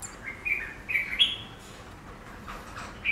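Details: Chinese laughingthrush reacting to its reflection in a glass pane: three short, clear whistled notes rising in pitch within the first second and a half, then quiet, and another note at the end.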